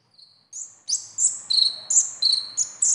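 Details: Sunbird besetan song, locally called konin or kolibri ninja, used to prompt a young or silent captive konin to sing: a thin opening whistle, then loud, high, sharp chirps alternating between two pitches, about three per second.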